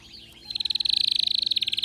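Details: Excited canary launching into a very fast, steady high trill of rapid pulses that grows louder after a short quiet start.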